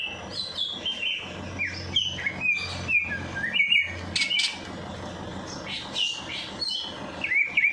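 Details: Bird in full song after a night bath, played to get a lazy bird singing; varied sharp whistles and chirps in quick bursts, some high squeaky notes, with a faint low hum behind.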